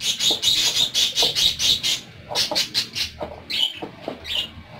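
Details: Kept parakeets chatter in rapid, evenly spaced high tweets, about two per second at first, then looser, sharper chirps with little background noise.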